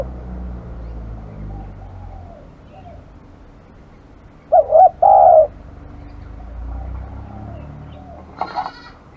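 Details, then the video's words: Single cooing phrase from an aggressive spotted dove: two clipped notes then a drawn-out coo, with fainter distant coos and a brief higher chirp near the end. "burung terkukur kg galak"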